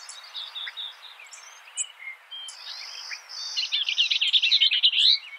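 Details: Skylark singing: scattered high thin notes and a faint hiss give way to a rapid, rich outpouring of fluttering, chattering trills in the final two seconds.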